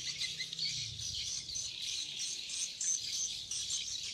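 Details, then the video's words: Swiftlets twittering in a dense, continuous chorus of high, rapid chirps and buzzy trills, with no pauses and little else in the background. "Swiftlet sound"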